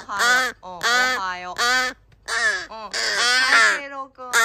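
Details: Three rescued crow chick siblings, found abandoned in a garbage bag and in their 26th–27th day of care, calling in the morning in July 2022. They give loud, harsh, rich-toned caws in bursts of about half a second, some overlapping.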